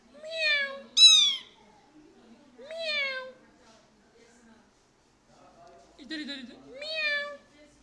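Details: Pet plum-headed parakeet, a tame two-year-old male that imitates Urdu or Hindi words and whistles. Four rich, speech-like phrases arch and fall in pitch, separated by quiet gaps, with a faint room hum underneath.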